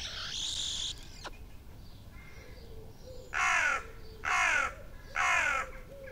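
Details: Two magpies at six in the morning in a small yard on 17 July 2018, just before attacking a microphone. A faint hiss opens the sequence, then three loud harsh rattling chatter bursts come about a second apart.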